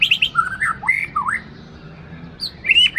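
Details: Caged white-rumped shama of Aceh origin, a breeding bird: loud varied whistled phrases with rising and falling slurs, quick high notes at the start, a short gap, then bright upslurred whistles.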